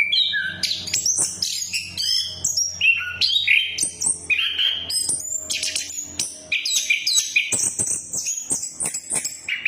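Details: Lure song of an orange-headed thrush, meant to prompt a bird that has stopped singing: rich, fast-changing whistles and rising and falling slurs, dense and nearly continuous, with a faint low hum in the first part.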